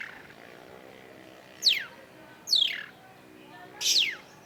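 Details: Long-tailed shrike, energetic song for prompting a silent shrike: three loud, buzzy notes, each sweeping sharply from high to lower pitch, spaced about a second apart, over a soft low hum.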